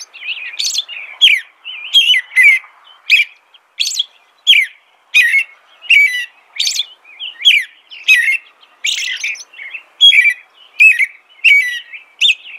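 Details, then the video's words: American robin singing a long unbroken sequence of short liquid whistled phrases, evenly spaced at around one and a half per second, mixing low slurred notes with thin high squeals. "American Robin Song.(Turdus migratorius)."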